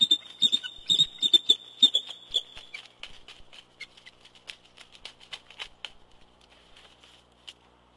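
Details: A bald eagle pair on their nest along the James River in Richmond, Virginia, mating at dusk in early February; thin, high chittering notes in quick bursts, fading after a few seconds, with sharp clicks and tapping noises.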